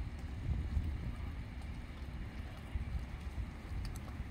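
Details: Steady low rumble of wind buffeting the microphone, with soft water and boat-like noise throughout and no animal voice heard.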